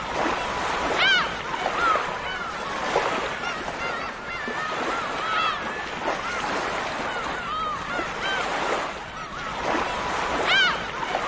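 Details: Dense seagull chatter of repeated arched, nasal calls, punctuated every few seconds by louder, higher squealing cries, all above a steady wash of surf.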